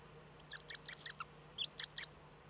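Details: Eurasian eagle-owl at a nest in the Eifel on 8 April 2014 around 05:36, as the first chick hatched: two quick bursts of short, high, nasal chirps, about five notes a second, over a steady low hum.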